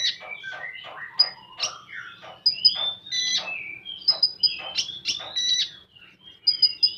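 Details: Konin, the common iora, delivering a dense 'full tembakan' song: a fast, unbroken stream of chattering, whistled and rising-falling notes with repeated sharp high chips, busy from start to finish.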